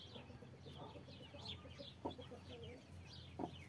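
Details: Mother hen guarding 33 chicks clucks twice, low and abrupt, about a second and a half apart, over continuous scattered high-pitched cheeping from the chicks.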